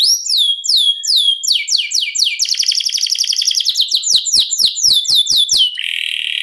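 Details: Singing domestic canary performing a long rolled song. Quick descending chirps flow into a fast rattling trill, then a run of sharp downslurred notes and a steady buzzing roll at the end.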